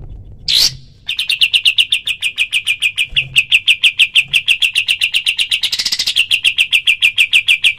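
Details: Kapas tembak delivering long 'tembakan' shot-call bursts as a master recording for other birds: a brief harsh note, then a dense stream of rapid high chirps lasting nearly seven seconds.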